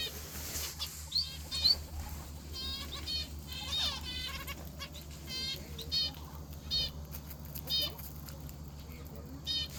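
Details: Morning calls from a finch in an aviary: repeated nasal, bleating buzzy notes in uneven bursts every second or so, mixed with higher thin chirps over a constant low hum.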